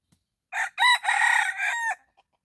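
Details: Red junglefowl crowing in the morning while being lured with a decoy: one loud, harsh crow of about one and a half seconds, a short opening note, a strong second note, a long trembling middle and a clipped final note, then silence.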